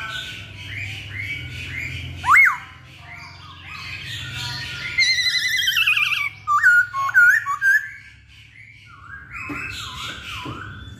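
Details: Masked laughingthrush (poksay Hongkong) in full, energetic song: a varied run of loud, slurred whistles, rising and falling notes, harsh squawks and rapid chattering phrases, with a wavy repeated whistle near the end; low steady hum underneath.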